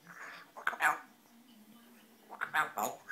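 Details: Pet African grey parrot talking indoors, asking to come out, with short breathy, speech-like words in two bursts and a quiet pause between them.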